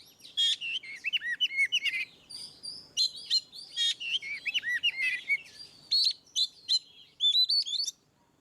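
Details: Oriental magpie-robin delivering continuous ngeplong song for prompting quiet birds: dense streams of looping, arched whistles and quick chattering notes, nearly unbroken for eight seconds, with sudden rising slurs toward the end.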